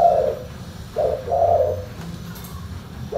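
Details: Tekukur cooing in short soft hoots, three or four low notes in quick sequence with a brief pause, over a steady low background hum.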